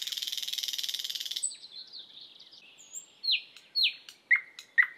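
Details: Thrush nightingale (Luscinia luscinia), song.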